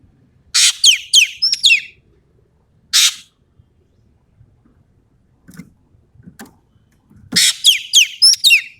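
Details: Ekek keling from Sumatra, singing actively: a harsh rasp, then a rapid run of descending whistled notes. An isolated rasp follows, with faint soft clicks. Another rasp then leads into five quick downslurred whistles.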